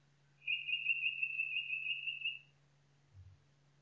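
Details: Forest nightingale holds one pure, level whistled note for about two seconds, clear and loud, followed by a short soft low thump and quiet.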